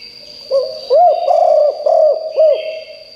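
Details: Loud spotted dove decoy used to call in wild birds: one flowing phrase of five bubbling, arched coos within two seconds, over a steady thin high-pitched drone.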